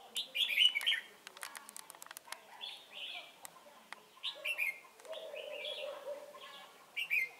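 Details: Decoy red-whiskered bulbul at Chùa Hương trapping, 28 November 2017, opening with a loud warbled phrase, then a series of shorter chirpy phrases over clicks, plus a low steady tone mid-clip.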